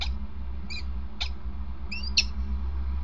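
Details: Peregrine falcon recorded on 28 March 2019: a few short, thin calls, some sharp downward strokes and others with layered tones, scattered across three seconds over a steady low rumble.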